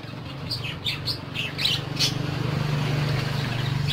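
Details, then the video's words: Several short bright tweets from pet parakeets crowd the first two seconds, then fade, leaving a constant low mechanical drone. "PARAKEETS (Listening To Their Tweets)"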